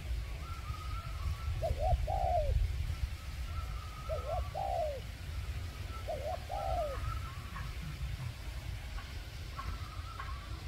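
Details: Decoy spotted dove luring wild doves: three gentle cooing phrases in the first seven seconds, short rising notes then a sliding downward coo, followed by quieter background with faint high tones and low rumbling.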